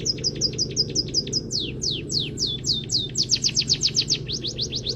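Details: White-headed munia (emprit kaji) singing canary-style filling as a master recording for training songbirds: rapid series of high, sharply downslurred notes, about four per second, speeding into a tighter trill near the end over a steady low hum.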